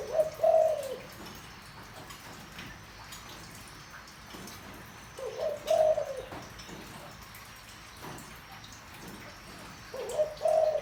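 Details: Deep-voiced spotted dove, played to stir up wild doves: low mellow cooing phrases, each a short note then a longer hooting coo, repeated about every five seconds over faint room noise.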